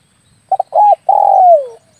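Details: Spotted dove cooing used to lure doves for air-rifle hunting: two quick clipped notes, an arched coo, then a sustained coo that falls steadily, heard close and clear against a silent background.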